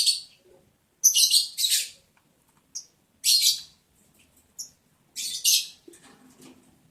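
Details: Lovebirds during mating in the breeding season, breeding day 11, July 11, 2022: short, harsh, high squawks come in irregular bursts of one to three, separated by quiet gaps, with faint shuffling between them.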